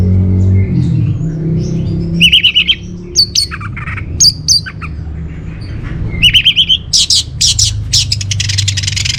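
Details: Orange-headed thrush singing, meant to lure caged birds and teach them its song: spaced trilled and slurred whistles, then a fast sequence of loud, harsh, chattering notes toward the end.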